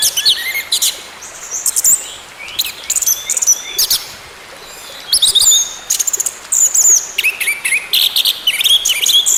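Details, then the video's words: Varied orange-headed thrush song, played as therapy so a silent bird will sing again. Dense rapid phrases of high chirps, trills and looping whistles come in bursts with short breaks between. "TERAPI ANIS MERAH MACET BUNYI, BERTAHAP KEMBALI GACOR"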